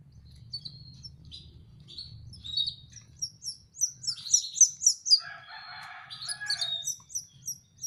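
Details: Canary chicks at hand-feeding give sparse high chirps, then a rapid volley of excited squeaky peeps. A scratchy, noisy burst interrupts before the chirping resumes, over a faint low hum.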